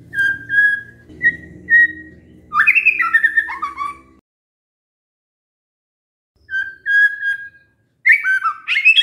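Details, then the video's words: White-rumped shama song used as a lure to make other shamas answer: clear whistled notes near one pitch, then rapid tumbling descending phrases, a pause, and another whistled run with chattering, over a low rumbling background for the first four seconds. "pancingan murai batu GAK PAKE LAMA, murai langsung nyaut saat dengar ini"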